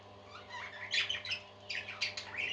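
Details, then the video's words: Budgerigars singing: soft warbling chirps and rising squeaky notes in two short bursts, with a low background hum. "Happy Parakeets Singing"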